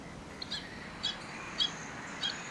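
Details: Pied Stilt at dusk at Nudgee Beach, Brisbane, Australia, yapping more urgently than usual as its chicks wander off: high, sharp yaps, about four in quick succession roughly every half second, over steady background hiss.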